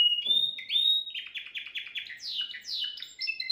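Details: Song of a Timbrado canary kept at home, recorded the day before as a flawless model for young canaries: a bright whistle, a quick series of stepped chirps, rising-falling sweeps, then a two-tone trill.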